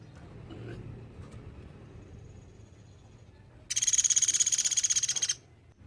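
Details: Sunda pygmy woodpecker calling, offered as a model for training songbirds: after quiet background, a single fast, high, dry rattling trill of evenly spaced notes lasting under two seconds, then silence again.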